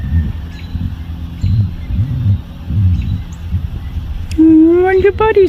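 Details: A pet female turkey makes soft sounds: a drawn-out, slightly rising tonal call, then a couple of quick short notes, likened to little bubble-popping noises; soft human talking and a low rumble precede it.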